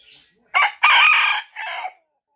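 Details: A bantam rooster crows during his owner's work phone call, a high, hoarse three-part crow of about 1.5 seconds: a short opening note, a long drawn middle, and a falling close.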